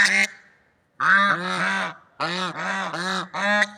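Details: Swans in nature give a short honk, fall silent, then let out a series of hoarse, trumpeting calls, some double, in uneven rhythm.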